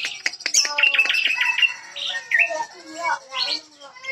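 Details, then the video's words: Jambu bird of West Nusa Tenggara, a first-place winner in Bima, delivering loud, continuous song of quick chattering notes, bright short whistles and tumbling warbled phrases. "JAMBU KACOI KARII GACOR PULL"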